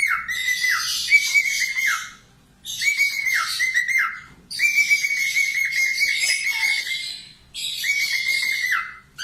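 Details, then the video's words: A budgerigar gives four loud bursts of about two seconds each, a high, steady whistle with harsh, scratchy chatter on top, separated by short pauses. The song is used as a master recording for training cockatiel and budgie voices. "SUPER GACOR COCOK UNTUK MASTERAN COCKATIEL LATIH SUARA PARKIT AUSTRALIA"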